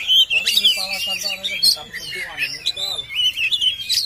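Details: Oriental magpie-robin pouring out a varied song of high warbled whistles and quick twittering phrases, with some harsher rasping notes mixed in.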